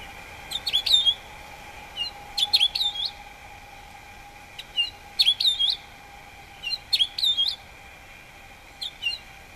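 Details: Male house finch singing: bright warbled bursts of quick chirps and twittering slurred notes, delivered in short phrases about every one and a half to two seconds, over a steady faint low hum.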